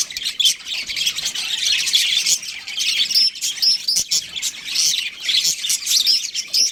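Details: Breeding pair of budgerigars chattering: a dense, continuous stream of scratchy, buzzy high chirps with brief whistled notes, rising and falling in bursts about every half second.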